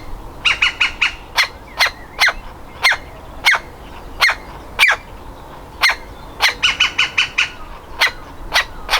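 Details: Nestling woodpecker, ready to leave the nest and trying to get out of its hole, gives sharp harsh calls, singly and in quick bursts of three to five, repeated through the recording.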